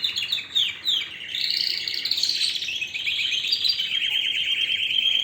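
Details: A canary sings warbled, scratchy phrases that blend into a continuous fast trill, holding a steady high pitch through the final seconds.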